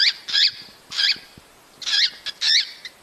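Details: Cockatiels calling to stir pairing and breeding: strong, rasping chirps with a down-curving tone, repeated about every half second in short bursts.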